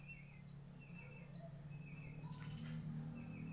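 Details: Mangrove whistler giving high, slurred whistles repeated roughly every second, each paired with a softer lower note, over a steady low background hum.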